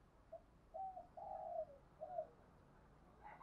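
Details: Spotted dove kept as a lure bird, cooing to call the flock: a short soft note, then a longer, louder drawn-out coo and one more brief coo, all low and mellow, heard faintly against a quiet hiss.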